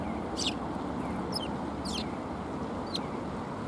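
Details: Sparrows arriving at a shrine for food on 12 February 2021 give four sharp, high, downward-sliding chirps spaced about a second apart against a low, steady rumble.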